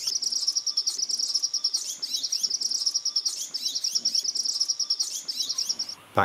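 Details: An agitated male Green-tailed Sunbird in Bhutan's southern forest near Darachu, late April–early May, gives rapid, very high, thin chipping notes in quick series, with a faint steady lower tone behind and a soft thump at the end.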